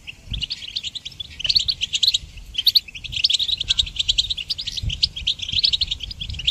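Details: A goldfinch song used for songbird training: a fast, continuous stream of bright, tinkling twitters and short buzzy trills, high-pitched and almost without pause, over a faint low rumble.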